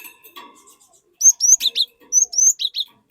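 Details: Glatik batu (cinereous tit) singing to lure untrained glatik into singing: two quick bursts of high, clear whistled notes, each phrase a run of short rising-falling slurs, with faint twittering beforehand.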